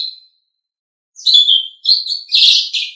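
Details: Asian pied starling singing in a training recording: one brief whistle, a pause, then harsh rasping chatter and squeaky whistles building into a loud, buzzy, grating burst.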